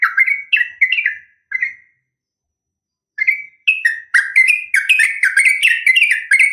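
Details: Fighting call from a female Sooty-headed bulbul calling a male, played to get bulbuls answering: a few slurred chirps, a silent gap of over a second, then an accelerating string of bright, bouncing notes.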